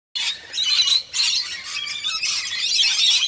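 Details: Wild rainbow lorikeets in Australia, seen bathing, give harsh, high, grating screeches that run together almost without pause, with a brief dip near one second.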